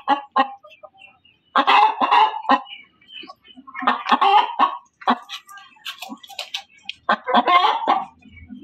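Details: Loud cackling from a hen, given as uneven clusters of harsh, scratchy clucks separated by gaps of near silence, with a few fainter rough notes in between.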